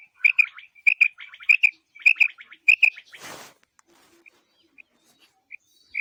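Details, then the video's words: Female quail call for hunting: clipped doubled chirps on a steady pitch, repeated about every 0.6 seconds. A loud broadband rustling burst follows, then scattered single faint chirps. "بٹیر کا شکار اور زبردست آواز"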